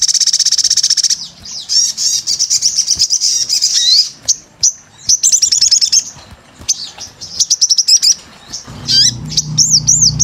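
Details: Crimson sunbird, locally sogon, in gacor voice: a high buzzy trill, then fast stuttering twitters and clipped high notes, closing with looping whistled phrases over a low rumble.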